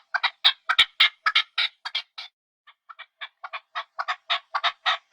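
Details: Loud grating chirps from wild partridges in fast clusters, a short gap, then quieter notes swelling back into a dense chattering series; no other noise.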